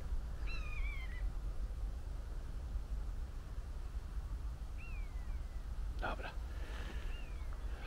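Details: In fields by water near the Oder river, apparently three common buzzards screech persistently for an unknown reason, giving high, drawn-out mewing cries that slide downward: three spaced calls over about eight seconds against steady wind rumble and a few knocks.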